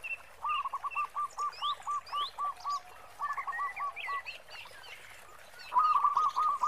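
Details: Local zebra dove singing in a big 'khong' style: long, evenly spaced strings of rolling coos, ending in a louder burst, with scattered sharp chirps and whistles from other birds overhead.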